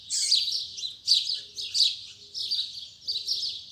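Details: Double-collared seedeater singing in the morning in the Tui Tui Zel Zel song style. High, scratchy warbled phrases repeat roughly every 0.7 seconds, with faint low background hum.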